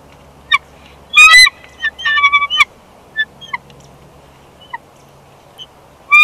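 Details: Bald eagle pair trading places on their nest in Big Bear Valley, spring 2021, recorded by a nest cam; an uneven series of shrill, harmonic squeals and short chips, louder at the start and end.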